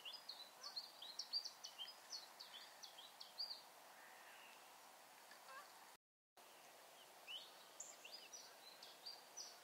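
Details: Siberian chiffchaff (Phylloscopus collybita tristis) singing on 22 October 2022 in Bremen, Germany: a quiet, jumbled run of high, thin chirps and short slurred notes, irregularly spaced, over faint background hiss.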